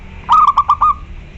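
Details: Zebra dove, local type, in full loud song to challenge a rival: a rapid stammering series of low coos ending in an extended softer note, heard once against a quiet backdrop.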